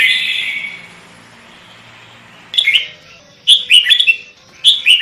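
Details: Kutilang, the sooty-headed bulbul, in chatty lure song: a hissing start, a quiet gap, then three short bursts of sweet, bubbling whistles in quick succession.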